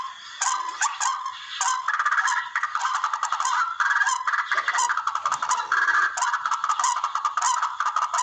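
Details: Barred rail (tikling) calls used as a hunting lure; a continuous stream of grating, honk-like notes that begins after a quieter half second and then runs in dense, rhythmic bursts.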